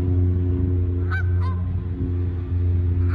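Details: Two short nasal honks from Canada geese landing and flying off, spaced about a third of a second apart, under a loud, steady low rumble.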